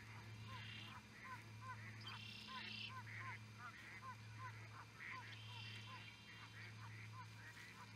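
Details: Osprey calling at Charlo, Montana, USA: a steady series of short, clipped whistled chirps repeated about every half second, somewhat faint, over a constant low electrical hum and soft background noise.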